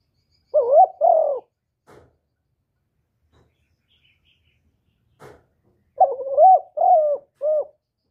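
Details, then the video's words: Spotted dove (cu đất) cooing in the 'thổ thúc' and calling coo voices. A hoarse double coo comes first, then a pause with faint taps. A run of four quick, low, wavering coo notes closes the phrase. "tiếng cu gáy giọng thổ thúc và gáy gọi"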